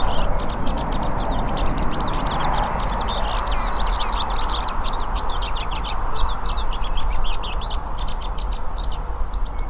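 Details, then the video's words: A group of hooded siskins singing out in nature: dense, overlapping high chirping and twittering runs with brief gaps, over a constant broad hiss and low rumble. "VÁRIAS PINTASSILGO CANTANDO NA NATUREZA"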